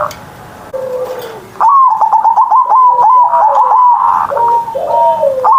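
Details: Morning song of a kept zebra dove (perkutut), loud ngerot style used to lure reluctant birds into singing. Soft low coos lead into a loud rolling stutter of rapid notes, then clear level coos dropping at their tails.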